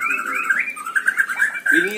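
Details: White-rumped shama singing at a bird-song contest, presented as training material for other birds: a string of clear whistled phrases that rise and fall, with people's voices faintly in the background.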